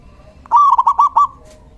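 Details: Zebra dove, a local male singing as a decoy call, one short phrase of a drawn-out coo breaking into four quick rolling coos, light background hum.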